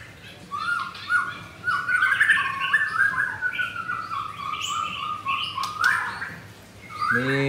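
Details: White-rumped shama, a captive mottled 'blorok' bird, countering a rival on the morning of Thursday 19 May: a chain of rich whistled notes rising and falling in steps, with a harsh burst and a rapid rattle near the end, over a low hum.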